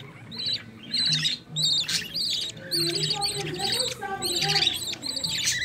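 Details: Nestling budgerigars from a green-line pair beg while the mother feeds them in the nest: clusters of harsh, scratchy chirps, with a brief low murmur partway through.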